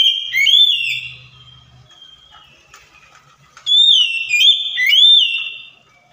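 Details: Kacer (Oriental magpie-robin) song used to provoke a stalled, silent bird: a loud slurred whistled phrase, a quiet stretch with faint low hum and soft ticks, then the same swooping phrase returns.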